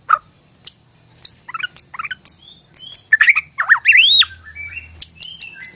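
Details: White-rumped shama of the Borneo type singing, a recording used to stir shamas to sing and fight; sparse sharp chirps and short warbles build to a loud upward-sweeping whistle over faint low hum.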